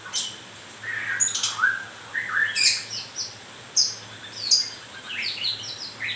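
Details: Moulting white-rumped shama delivering a varied song of rich whistles, slurred notes and sharp high clicks, ending with a string of quick rising chirps.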